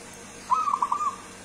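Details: A wild-origin local zebra dove from Kebumen sings a short, soft cooing phrase: several quick, mellow notes run together on a steady mid pitch over about half a second, in a quiet background.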